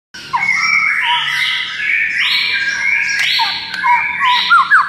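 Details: White-rumped shama singing a harsh, buzzy, churring run of broad scratchy notes, with short clear whistled slurs near the end; played to get other shamas to answer within seconds.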